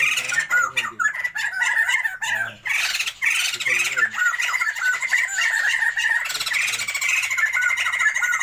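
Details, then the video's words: White-crested laughingthrush pair of the Sumatran form, caged for breeding, letting loose a near-continuous raucous chatter of rough squawks and cackles, with some human voice early on and a steady low background hum. "Pasangan POKSAY JAMBUL SUMATERA GACORRR"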